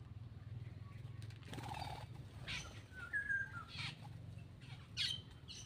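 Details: Black-winged myna feeding and vocalising: a brief low nasal note, then a clear slurred whistle, followed by scattered harsh high bursts, with rustling and a low hum throughout.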